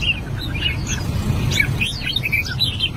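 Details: An albino red-whiskered bulbul practises singing with soft, scattered slurred whistles and chirps, growing busier toward the end, over a low steady rumble.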